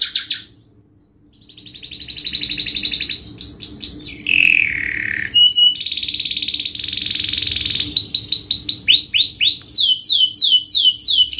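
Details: Canary singing in a fast, tight, sharp 'speed' style used to tutor young canaries: rapid buzzy trills, then lower rolling notes and a run of repeated downward-sweeping whistles, over a faint steady hum.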